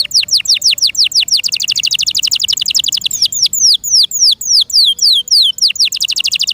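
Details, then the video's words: Pet canary in loud song, delivering long runs of rapid, evenly spaced downward-sweeping chirps that slow into wider, separate swooping notes toward the end. "PLEASE LISTEN AND ASSESS FOR YOURSELF THE BEST CANARI BIRD"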